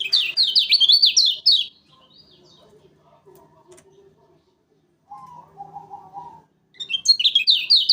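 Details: Lemon-bellied white-eye from Lombok, a lure recording for trapping: bursts of fast, high, zigzagging chirped notes, the first lasting about a second and a half, another starting near the end, with faint lower murmuring sounds between.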